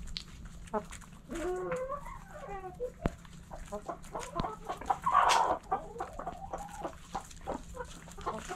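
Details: Backyard chickens in the coop, several hens clucking in overlapping bursts of short notes, one louder harsh squawk in the middle, steady low hum beneath.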